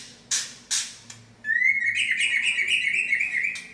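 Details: White-rumped shama of the Medan type singing its imitated repertoire: two sharp broadband clicks, then a sustained warbling run of rapid, wavering whistled notes held at a steady pitch.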